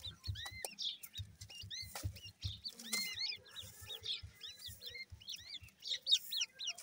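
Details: Grey francolin (teetar) chicks calling: a busy chorus of short, high, upward-curving chirps from several birds at once, over a steady train of low dull thumps.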